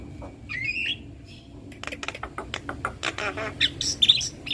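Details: Male and female black-winged starlings duetting: an opening warbled whistle, then a fast run of sharp clicking notes and grating squawks ending in high thin whistles, with a faint constant low hum behind.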